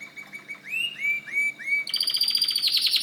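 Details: White canary song: a series of clear rising whistled notes, then a dense, very high rapid trill.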